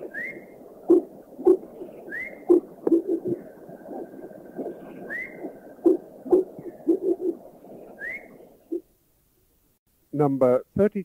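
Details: A Common Iora, recorded in a Thai national park, gives short rising whistles every two to three seconds over a busy low chatter of background sound, followed by a man's voice speaking.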